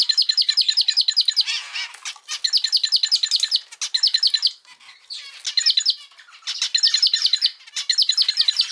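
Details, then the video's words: Male zebra finch kept as a pet sings a tight motif of rapid nasal, stacked notes, repeating the same phrase about six times with short breaks between. "キンカチョウのさえずり・鳴き声 集めました②｜個性的なオス達 かわいい鳥 Cute Zebra Finch Songs 🎵 sing sounds calls"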